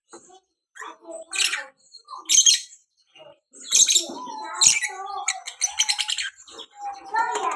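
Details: Prospective singing lovebird from Salatiga, Indonesia, chattering in a fast, erratic style. Harsh, scratchy squawks and high chirps come in irregular bursts separated by short silences, with a few lower warbled tones.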